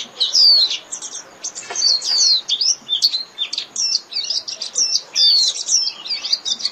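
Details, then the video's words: Japanese white-eye calling its flock with a busy, jumbled stream of high, sharp, sliding chirps and twittering notes, nearly continuous across the clip with brief gaps. "Chim Vành Khuyên (Chim Khuyên) hót gọi bầy"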